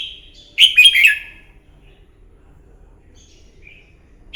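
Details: Red-whiskered bulbul giving a fighting song in the morning to train a bird: one loud, rapid phrase of warbled whistles dropping in pitch, then near silence with a faint distant chirp.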